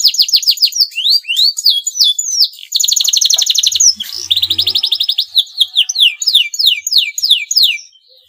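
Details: A caged male canary in breeding condition sings to provoke a rival into song. Its long bright song mixes rapid downslurred whistles, a dense buzzing roll near the middle, and a closing run of quick sliding notes.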